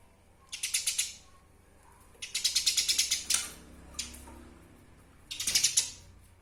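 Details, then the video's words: Eurasian tree sparrow recorded as a master sound for tutoring songbirds: three short bursts of fast, harsh chirping, spaced by quiet gaps, with a faint low hum beneath. "Suara Asli burung Gereja Bukung Untuk Pemasteran"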